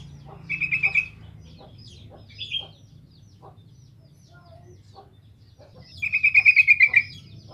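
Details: Sooty-headed bulbul song used as a lure to provoke other bulbuls into answering: two bursts of rapid, evenly repeated bright notes, about eight each, with a few scattered short notes between and a low hum underneath.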